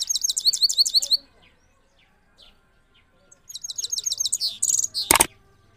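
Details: Trained Himalayan goldfinch of the Parachinar type, in Kabul, Afghanistan, 2022, gives a rolling song. It opens with a loud, fast, high tinkling trill of repeated notes, falls quiet briefly, then has another bright rolling trill. A sharp click ends it.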